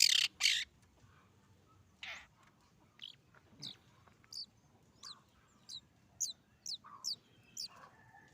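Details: Recently fledged long-tailed shrike learning to sing, with a rough, not yet settled voice: two loud harsh rasps, a broad scratchy note, then a string of thin, high, downslurred squeaks given irregularly, with a low murmur beneath.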